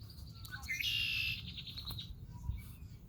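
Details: Red-winged blackbird (Agelaius phoeniceus) call at Rehoboth Beach, Delaware: a few quick sliding notes, then a harsh buzzy trill of about half a second, over a low rumble of wind or surf.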